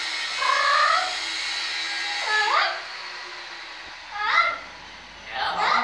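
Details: A captive talking, trained blue-fronted amazon parrot gives four harmonic, voice-like calls, some rising and some falling, spaced about every one and a half seconds, over a steady hum.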